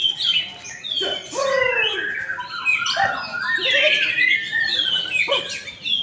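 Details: Contest white-rumped shama that took first place sings varied phrases: loud downward-slurred whistles, chattering notes and sharp bursts, amid overlapping song from other caged birds.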